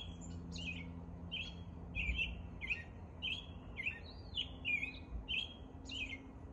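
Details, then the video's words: American robin singing its morning song in spring: a steady string of short caroling whistled phrases, rising and falling, about one and a half per second, over a low background hum. "American Robin performing the morning song."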